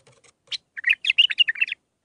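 A bulbul sings a quick, bubbly phrase of rich warbled notes, rising and tumbling over about a second, after a few soft clicks.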